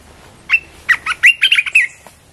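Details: Red-whiskered bulbul singing a short, loud phrase of about seven clipped, slurred notes centred high in pitch. The notes are quick and fluty, with a brief pause after the first. The background is quiet apart from a faint low hum.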